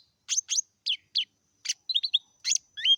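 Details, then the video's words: Lesser green leafbird in meratoh song, a varied run of clipped chirps, buzzy bursts and short twisting whistles delivered in quick separate notes over three seconds. "Suara burung daun kecik meratoh"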